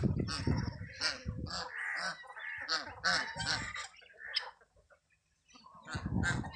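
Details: Geese among chicks, making a burst of rough honks and higher squeaky notes for several seconds, then a short hush before noisy honking starts again.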